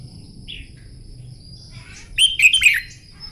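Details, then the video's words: Red-whiskered bulbul in a morning song-contest training session delivers one loud, tumbling phrase of liquid slurred whistles lasting about half a second, after a soft faint note. "Chào mào hót kích lửa " luyện chào mào hót đấu buổi sáng" kích chim hót căng lửa"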